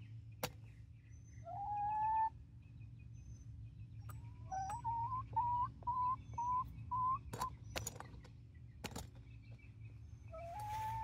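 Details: Nineteen-week-old Barred Rock and Gold Star chickens in Grimes County, Texas: a long whistled rising note, then a run of six short rising whistles about half a second apart, a few sharp clicks, and one more whistle at the end.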